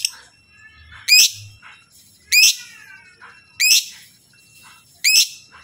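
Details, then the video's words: Lovebird calling loudly so that other lovebirds answer: piercing, shrill chirps, each a sharp downward-hooked burst, repeated about every 1.3 seconds, with faint chatter in the gaps. "Jenis Lovebird Apapun Kalau dengar Lovebird ini pasti Nyaut Gacorrr"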